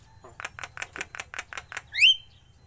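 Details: Javan myna under song training delivers about nine quick, evenly spaced harsh chattering notes, then ends with a loud, clear whistle sliding sharply upward, over a faint low hum.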